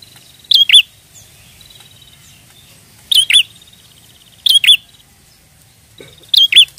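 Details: Prenjak sound played to lure birds: four sets of paired piercing chirps, most preceded by a steady beaded trill, spaced one to two seconds apart, with faint low background rumble.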